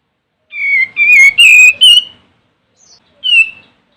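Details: Olive-winged bulbul (Pycnonotus plumosus) song used as a lure to call rivals: a bright, whistled phrase of four quick notes, each slightly rising, then a single echoing note after a brief pause.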